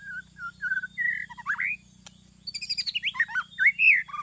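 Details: White-rumped shama song for luring birds into a trap: short level whistles climbing into a rising slur, then a pause and a fast, loud, varied cascade of sharp notes and swooping whistles, with a constant low hum beneath.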